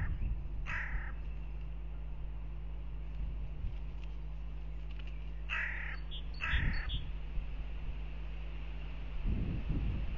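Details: Hooded crows fighting at a goshawk nest camera in Riga, Latvia, 10 April 2021: scattered harsh caws, one early and a pair later, with thumps and rustling against a constant low hum.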